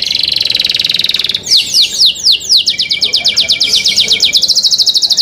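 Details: Canary performing cenkok song: a high rapid buzzing trill gives way to loud falling whistled notes, which become a steady series of quick downward sweeps and end in a fast high rattle.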